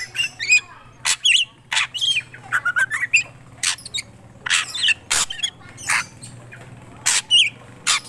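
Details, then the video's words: Black drongo in lively song: sharp clicking bursts alternate with twisting whistled notes and rasping squawks, delivered rapidly and irregularly over a faint low hum. "Srigunting krantil gacor"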